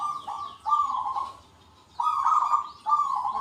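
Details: Local zebra doves in active song with big 'kung' voices, answering one another. Burry rolling coos come in three bursts separated by a short lull, with faint high sweeping chirps over the top.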